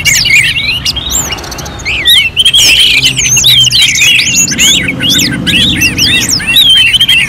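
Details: Contest-simulation song of an Orange-headed thrush: loud, tumbling whistled notes, many looping up and down, delivered almost without pause after a brief quieter opening, with a soft low rumble underneath.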